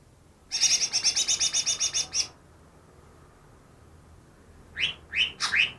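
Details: Greater green leafbird caught two days earlier, reportedly copying ten bird species; a long high chattering trill of around fifteen pulses, a pause, then three loud upslurred whistles.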